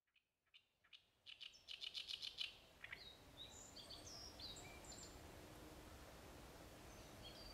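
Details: Great reed warbler song: a burst of harsh, rapidly repeated chattering notes about a second long, followed by fainter scattered whistled and clicking notes over steady background noise.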